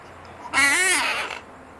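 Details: Talking pet parrot, female, repeating "no": a loud, buzzy, speech-like syllable of about eight-tenths of a second, pitch swelling up and dropping back, with quiet indoor background.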